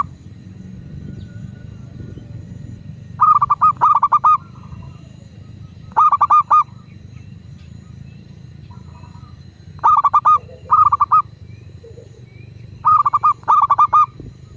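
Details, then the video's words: Local zebra dove (perkutut lokal), recorded for use as a prompt to get other doves singing. Five bursts of quick, staccato, mid-pitched cooing notes arrive every few seconds over a steady low background hum. "Perkutut lokal gacor pancingan agar burung perkutut cepat GACOR dan BUNYI"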